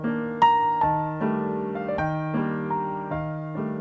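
Gentle piano music with sustained notes and chords struck roughly twice a second, no animal sounds.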